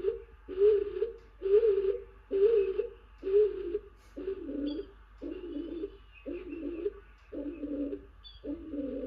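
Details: Stock dove, presumably a male, perched on a tawny owl nest box while the hen owl incubates inside, calling incessantly: low, soft, rounded coos repeated about once a second in a steady series, heard from within the box.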